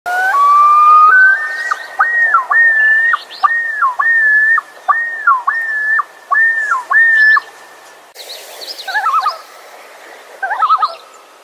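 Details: Wild common loon, or great northern diver, giving a long series of loud, clear notes, each jumping up and then dropping back, repeated about every half second after an opening steady whistle; fainter tremulous calls follow near the end.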